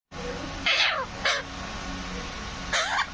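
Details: Green parrot giving three loud harsh squawks with falling tails, spaced irregularly over a few seconds, against a steady background hum.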